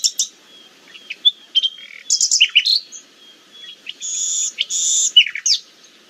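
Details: Nightingale singing as a forest example: varied phrases of thin whistles, sharp clicks, rising and falling slurs and two sustained buzzy rattles, separated by brief pauses.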